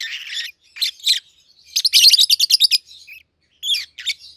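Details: A captive pair of peach-faced lovebirds, red-headed green opaline and red-faced dark green mutations, hatched and raised together, 7-8 months old, giving shrill broadband chirps, then a rapid run of about ten sharp notes near the middle.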